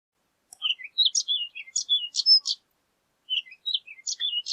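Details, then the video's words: Horned lark delivering two bursts of mixed sharp clicks and slurred high warbled notes, the first longer, separated by a second-long pause. "Horned Lark Bird Singing, Sound, Calling, Voice - Alondra Cornuda Canto"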